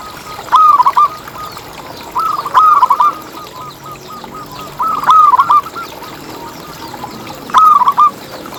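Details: Local zebra dove song for luring other doves to sing. Four loud phrases of quick, rolling coos, each about half a second long, come every two to three seconds. Soft cooing fills the gaps, with faint high chirps behind.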